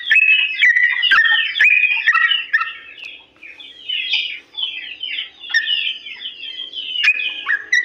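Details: Sooty-headed bulbul in long, slow-paced ropel song used as a tutor for other bulbuls to imitate: bubbly, slurred whistled phrases with sharp chips, loud at first, then softer, and swelling again near the end.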